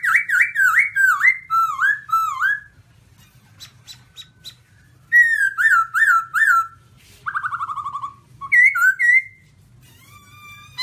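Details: Black-throated laughingthrush, white-cheeked form, singing: loud, rich whistled phrases of four wavy, bouncing notes, repeated after pauses, with a rapid descending trill and scattered short high notes between phrases.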